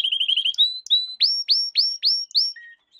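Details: Canary lesson song for training young canaries: a quick stutter of short notes and two brief whistles, then loud sweeping downslurred notes repeated about every quarter second.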